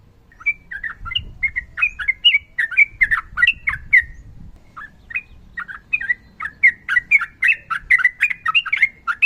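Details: Sooty-headed bulbul in fighting song, a female calling a male: a long chain of slurred whistles and harsh squawky chirps at steady rhythm, pausing briefly midway before resuming faster.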